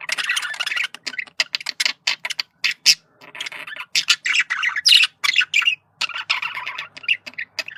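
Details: Male budgerigar chattering in communication, mixing dense buzzy warbles with many short clicks and chirps, loud and nearly continuous, with a brief lull near the middle.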